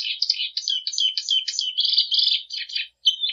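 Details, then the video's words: Continuous plumbeous seedeater song: quick warbled and slurred notes run together, with a dense buzzy stretch in the middle, a short pause, then a final whistled note. Clean, with no noise. "Canto da patativa"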